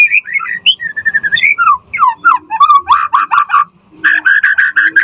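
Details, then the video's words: White-rumped shama song from a lure and tutor recording for shamas: sliding whistled notes rising and dipping, then a quick series of rich buzzy notes repeated about five times, ending in short steady whistles. "Pancingan Murai Batu Gacor Auto NYAUT cepat RESPON Buat Masteran Burung Murai Agar Gacor Full Isian"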